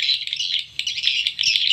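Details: Swiftlet house lure sound with colony parent calls: sustained high, buzzy twittering in long bursts broken by one short pause, with a faint low hum throughout.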